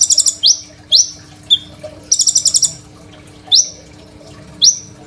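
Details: Crimson sunbird in full song, recorded on an Oppo A37f phone as a master song for training untrained sunbirds; sharp upward-sweeping whistles alternate with fast, buzzy rattling bursts, with a faint steady hum underneath.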